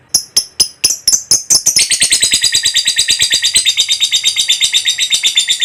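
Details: Lovebird long ngekek trill for luring other lovebirds into song: a few spaced, sharp high chirps open, then from about two seconds a fast, unbroken shrill chattering trill takes over.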